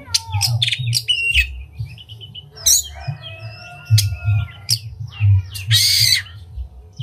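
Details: Singing oriental magpie-robin with its tail opened, a recording meant to rouse other magpie-robins: a mix of sharp clicks, descending slurs, a long level whistle and a final dense burst of harsh chattering notes, with low background hum.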